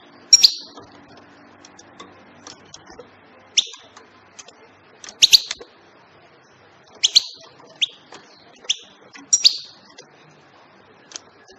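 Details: European goldfinch chirping: single and paired bright, clipped notes spaced irregularly about a second apart, with a faint low hum in the background.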